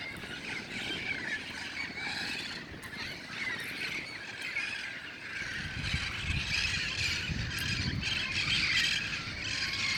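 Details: Wild red-crowned parrots gathering at dusk in El Cajon before heading to nearby roost trees; a dense chorus of harsh, overlapping squawks and shrieks, steady throughout, over low rumbling background noise.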